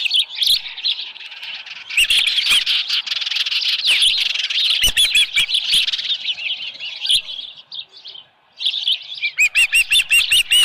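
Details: From a Dunrovin Ranch osprey nest on the morning of 24 July 2018, a headless fish on hand: dense, continuous high twittering, a brief lull, then a closing run of sharp arched whistles.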